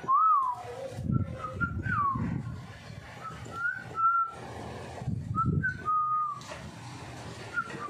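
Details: A playful pet cockatiel that wants its head scratched gives clear, wavering mid-pitched whistles, some rising and falling, with laughter, low thumps and voices behind.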